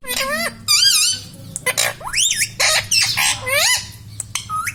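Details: Pet talking parrot chattering words like "Mummy" and "Papa": strongly harmonic, bending voice-like syllables in quick bursts, with sliding rising and falling pitches and short gaps between phrases, plus a low steady hum in the room.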